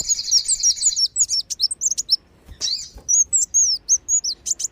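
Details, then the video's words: Sunbirds, kolibri wulung and sogon, giving a lure call for drawing wild birds in: an opening fast buzzy trill, then scattered sharp high chirps and thin slurred whistles repeated about twice a second. "SUARA PIKAT BURUNG KOLIBRI WULUNG DAN SOGON"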